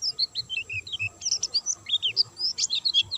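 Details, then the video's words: White-eye in energetic song, no stimulants given: brisk high chirps and short whistled slurs in a lively, irregular twitter over soft background hiss. "burung pleci gacor dor tanpa doping"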